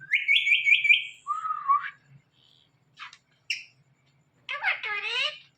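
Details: Indian ringneck parakeet talking on a Thursday night: a quick run of high pulsed syllables, a lower slurred phrase, scattered clicks, then a harsh raspy burst with descending harmonic tones.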